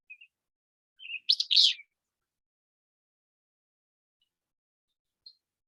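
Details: Willow Flycatcher song, a distinctive song most people can identify right away: a single short, sneezy burst of two rough notes, preceded by faint chips, in otherwise quiet surroundings.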